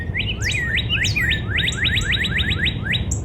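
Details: In a spring backyard a Northern cardinal sings a rapid string of about a dozen clear whistles, each dropping steeply in pitch, a few with short level tails, over soft low noise and faint high chips.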